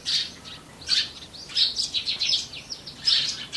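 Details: Eurasian tree sparrows, a familiar wild bird living alongside people, followed through spring to winter; lively, nearly continuous scratchy chirps and twitters run together in bursts, bright and high, with no other sounds heard.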